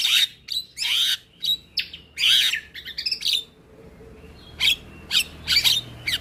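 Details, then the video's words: Asian pied starling song for young birds to learn each morning: loud raspy squawks in separate bursts, a short whistled phrase midway, then sharp clipped notes spaced about half a second apart. "Masteran Burung Jalak Belajar Bunyi Putarkan Suara Jalak Kebo Setiap pagi"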